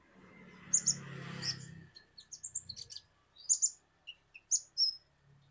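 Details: Indonesian kolibri ninja sunbird giving sharp squeaky double chirps and short whistles, partly over a burst of low rumbling noise at the start.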